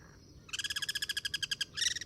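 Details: Wild Guira cuckoos in natural habitat, cross-singing from a Duranta top: a fast, loud, buzzy rattle of rapid pulses, briefly pausing before a second burst, over faint low rumble.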